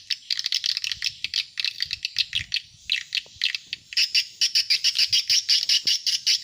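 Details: Lure calls of swiftlets meant to draw in adult birds: dense, high, scratchy chirps repeated in fast succession, growing steadier and more ringing in the second half, about two per second, slight low background noise.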